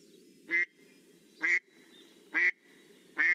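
An American Black Duck gives four loud, rough, nasal quacks, evenly spaced about a second apart, over a low steady background hum.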